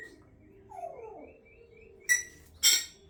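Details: Pet African grey parrot with a bit of a cough: a few faint whistled tones drift by, then two short, harsh, noisy bursts about half a second apart near the end, the second louder.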